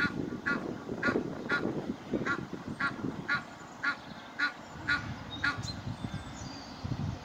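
Egyptian goose goslings give short, thin peeping calls about twice a second over low rumbling wind and handling noise.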